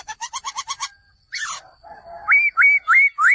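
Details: A male laughingthrush gives a fast rattle of about seven clipped notes, a harsh downward squawk, a low buzzy note, and then four loud whistles that rise and flatten out.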